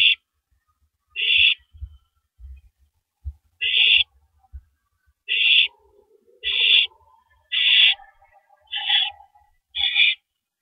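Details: Owl on a live nest camera at 3:33 AM on April 9, 2012, tearing apart a large rabbit before swallowing it whole; harsh, hissy screeches in short bursts, about eight in ten seconds at uneven spacing, with faint low knocks between.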